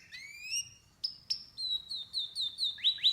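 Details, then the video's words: Canary giving rising whistled chirps, then a string of short sharp notes repeated about three times a second, over faint low background noise. "Canary's voice A very beautiful canary's chirping canary's voice"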